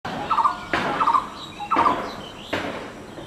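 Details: Blue-throated barbet recorded from a home balcony: three short bursts of low, rolling, trilled notes in quick succession, spaced under a second apart, interrupted by sharp broadband knocks.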